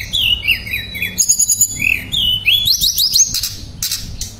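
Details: Shortwing (tledekan pring) in energetic therapy song with nembak shots and ngerol rolls: a wavering series of whistled notes falls and rises, followed by a climbing run of high chips and brief scratchy bursts.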